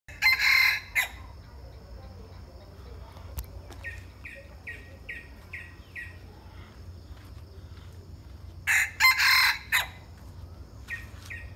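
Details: Bantam chicken crowing in two loud harsh bursts near the start and end, while a small bird repeats a short high chirp about six times in between.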